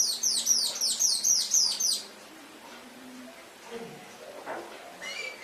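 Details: Canary song for training kept birds in Indonesia: a bright, high phrase of quickly repeated down-slurred notes lasting about two seconds, followed by quiet with a few faint low sounds.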